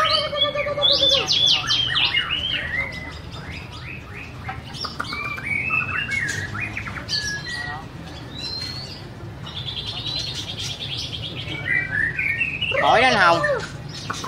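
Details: Long stretch of white-rumped shama song: fluty whistles, rapid trills and loud rattling bursts, with quieter gaps between phrases and a steady low background hum.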